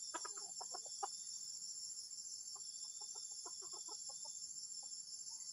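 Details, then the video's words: Dense flurry of short clucking notes from a junglefowl giving strange, troubling calls, then sparser clucks spread out, all over an unbroken high-pitched insect chorus. "AYAM HUTAN SUARA ANEH PENGGANGGU"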